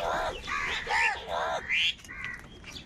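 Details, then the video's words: Harsh, nasal caws from crows fighting over food, four rapid calls in a row ending with a higher, rising squawk and a faint trailing note. "Crow bird live Crowing sounds | Clear crystal Crow bird Crowing sounds | কাকের ডাক Crow Sound"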